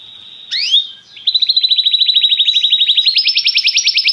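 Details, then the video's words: Belgian canary in popular song: a swooping whistled note, then a long rapid rolling trill of even notes that jumps higher near the end. "a canção do canário belga que é popular"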